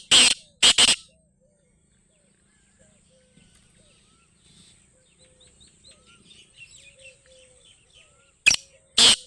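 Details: Black francolin giving loud, harsh, rasping notes, a close pair at the start and another pair about eight seconds later, with soft high chirps of smaller birds filling the gap between.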